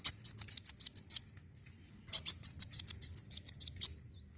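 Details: Black sunbird song for stimulating other birds: two lively bursts of rapid, high, twittering notes with a slight warble, separated by a brief pause.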